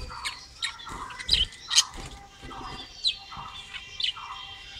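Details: Budgerigar colony kept for breeding, with several birds giving sharp, high twittering chirps in short bursts, some louder notes standing out, against soft background chatter.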